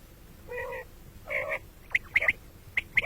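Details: Common quail (batair), called at morning and night: two nasal, mewing low notes, then a quick series of sharp, high clicking pips near the end, over a quiet background.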